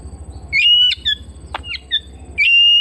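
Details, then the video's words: Domestic Oriental magpie-robin whistling a long steady note, a sharp click, short chirped notes, then another drawn-out whistle, against a soft low rumble. "Terapi Burung Kacer Rumahan Dua Puluh Empat Jam"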